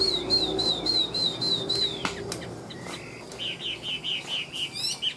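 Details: Chinese hwamei, tame and described as a good fighter, in ngũ trường song: a steady run of high, evenly spaced whistled notes, a short break with a thump, then a quicker series of bright, wavering whistles.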